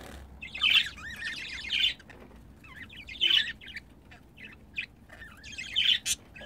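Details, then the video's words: Two pet budgerigars during mating give bursts of high, scratchy warbled chatter, spaced by short pauses roughly every second, over a quiet indoor background. "Muhabbet Kuşu Pamuk ve Cafer'i çiftleşirken yakaladım"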